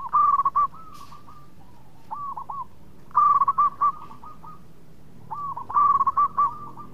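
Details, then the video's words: Singing local zebra dove, called melodious and a caller that prompts others to sing: three bursts of rapid hooked, ringing coo notes, each phrase a stuttering trill followed by a few steady tones, separated by quiet gaps. "PERKUTUT LOKAL GACOR SUARA MERDU TUKANG PENGUNDANG BUNYI"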